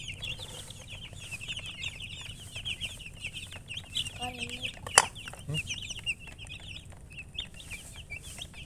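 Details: Chickens with a hen (murgi) give a dense, overlapping chorus of high, quick chirps that runs on without pause. A few lower clucking notes come in midway, and one sharp click stands out near the middle.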